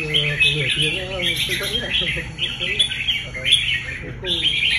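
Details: Competition-trained red-whiskered bulbul sings quick bright warbled phrases in bursts while a man talks steadily underneath throughout.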